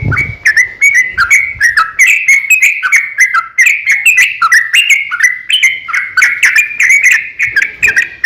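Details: Sooty-headed bulbul singing a long, steady fighting song used to lure other bulbuls into singing: continuous fast, bubbly, warbled notes that rise and fall, with sharp clicky onsets throughout.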